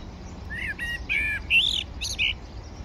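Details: Common blackbird (Turdus merula) feeding at breakfast on the bank of the Manzanares river, Madrid, 17 February 2023; a quick run of short chirped and whistled notes, several sliding upward, over a soft low background hum.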